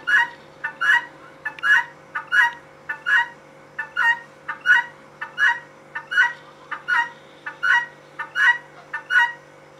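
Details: A female guineafowl gives repeated grating two-note calls at a fairly even pace, roughly eighty per minute, each harsh and squawky, over a low constant background hum.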